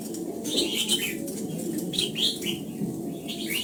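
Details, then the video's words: During morning voice training for the old-forest double-note style, a red-whiskered bulbul gives slurred, wavering whistles in short bursts, with a low rumbling background. "Luyện giọng cho chào mào hót sáng, ép chào mào hót âm kép già rừng hay tuyệt!"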